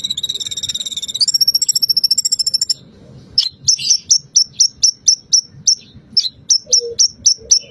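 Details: Bar-winged prinia song played to stimulate a bird to start singing, including stated cililin and pelatuk bawang phrases: a rising, rapidly pulsed buzzy trill, a short pause, then evenly spaced sharp high chirps roughly twice a second.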